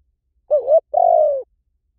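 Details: Low two-part coo from a spotted dove, used as a decoy call: a brief wobbling note and, after a short gap, a sustained mellow hoot that sinks slightly at the end. Quiet background.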